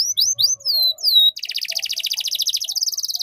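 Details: Canary tutor song in the ngeriwik style, played for young canaries to learn from; high slurred whistles falling in pitch, then a long, fast, even buzzy trill.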